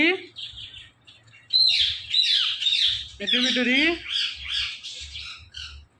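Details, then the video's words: Green pet parrot chattering in a harsh, raspy voice, with squawky word-like bursts and one gliding, rising vocal phrase midway, continuous for several seconds indoors with faint low background thumps. "Incredible Talkative Green Parrot"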